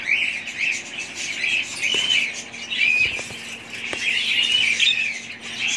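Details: Group of budgerigars keeping up busy high-pitched chatter, overlapping chirps and short squeaky notes with slight swells in loudness every few seconds.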